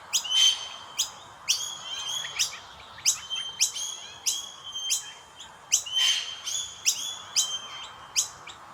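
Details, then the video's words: Common myna chicks begging while their parents feed them: a steady run of sharp, high chirps, some with clear whistled overtones, repeated roughly every half second, with a few louder bursts and a soft hiss behind. "Indian Miner Birds Feeding their babies | Chubby baby birds chirping sound"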